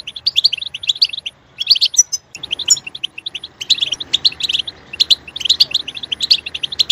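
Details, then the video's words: European goldfinch singing: a lively stream of quick tinkling twitters and short chirps in repeated bursts, over a low steady background hiss. "Stimulating a goldfinch clip to make it chirp in a loud and wonderful voice"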